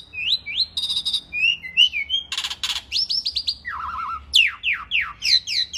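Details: Asian pied starling (jalak suren) in full vigorous song for a masteran training recording: a varied medley of whistles, rough rasping bursts, a low warbled phrase and rapid falling slurred notes, about three per second.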